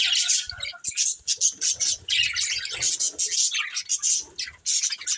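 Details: Colourful budgerigars in a busy chorus of rapid, high chirps and scratchy warbling, broken by short pauses every second or so, with faint low knocks in the background.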